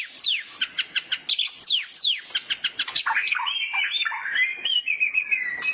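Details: Caged white-rumped shama singing while sunbathing in the morning during song training, a run of sharp descending whistled notes repeated rapidly, then a warbling, sustained high twitter.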